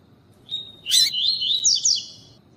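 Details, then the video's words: Double-collared seedeater singing the tui tui style, with a calling female used to stimulate males for tournament training: a thin high whistle, a harsh buzzy burst, then a run of rising and falling whistled notes and trills. "CANTO COLEIRO TUÍ TUÍ COM FÊMEA PIANDO QUENTE PRA LEVANTAR COLEIRO FRIO"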